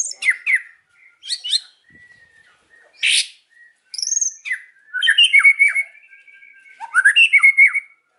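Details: Afternoon song of a white-rumped shama: sharp chips and harsh bursts, then strong repeated down-slurred whistles in quick series.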